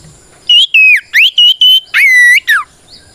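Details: White-rumped shama singing a loud bout for provoking other shamas: clear whistled notes held steady or gliding up and down, about seven phrases in under three seconds, with short gaps between them.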